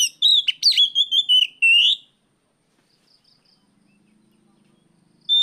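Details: Afternoon song of an Oriental magpie-robin, recorded as a lure for training other birds: a quick run of loud whistled and chattering notes over about two seconds, then a faint low hum and a final sharp whistle.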